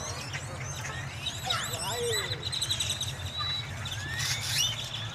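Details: A flock of blackbirds taking over a Wal-Mart in Dallas on Halloween: many overlapping whistled, squeaky and rising calls over steady low hum of traffic or machinery, with a brief spoken voice.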